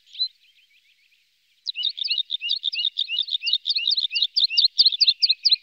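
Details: A red-spotted bluethroat in Norway, one of a pair with young, gives one high note, then after a pause a quick run of sharp, chirping notes, about two to three each second, with nothing else heard.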